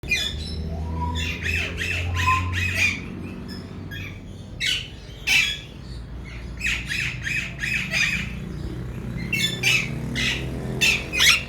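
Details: Captive Alexandrine parakeet, apparently a male talking bird from a breeder pair, giving loud, harsh, raspy squawks in quick clusters of three or four, with short pauses between bursts, over a steady low room hum.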